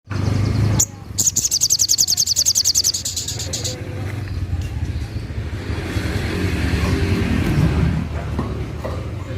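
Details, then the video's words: Spiderhunter in full voice, a 'tembakan' (shot) burst sought as a tutor song for contest songbirds: a rapid, even train of about sixteen sharp high notes lasting some two and a half seconds, over a steady low rumble like traffic. "Suara tembakan burung paling di cari kicau mania untuk masteran burung lomba | sogon gacor"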